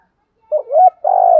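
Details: Fragment of spotted dove cooing used to train decoy doves: a wobbling rising note into a steady coo, then the start of a long buzzy coo cut off abruptly.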